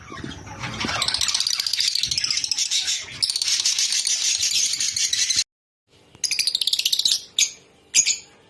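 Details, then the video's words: Rosy-faced and Fischer's lovebirds calling to stimulate breeding: a dense, continuous, rapid buzzy chatter of high, shrill notes lasting about five seconds. It breaks off briefly, then resumes in shorter bursts and separate sharp chirps. "أقوي صوت لتزاوج طيور الروز والفيشر"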